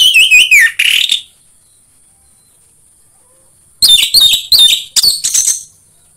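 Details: Orange-headed thrush song played to prompt other thrushes to sing: a burst of loud, varied whistled and chattering notes, a pause of about two and a half seconds, then a second rapid burst. A faint steady high tone lies underneath.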